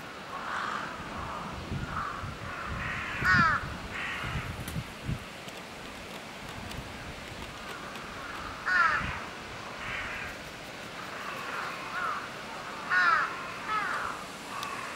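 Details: A crow at Chiba Zoological Park, Japan, which pecks at a mouflon, gives harsh, hoarse caws in short bursts, repeated every four to five seconds.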